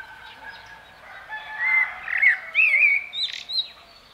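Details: Common blackbird giving clear, fluty whistled phrases that rise and fall, including a quick wavering trill, over a faint background hum.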